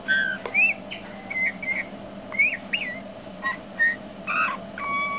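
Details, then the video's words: Male Eurasian bullfinch (Pyrrhula pyrrhula) singing soft piping whistles, some rising and some falling, in short broken phrases with brief creaky notes over a steady low hum. "Cantec mugurar mascul"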